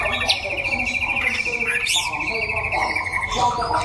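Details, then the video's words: White-rumped shama from Đắk Lắk, Vietnam, sunning during a singing contest: a long rapid trill of evenly repeated high notes, broken by a few sharp rising chirps, with crowd voices murmuring throughout. "Chòe lửa Đắk Lắk đấu hót"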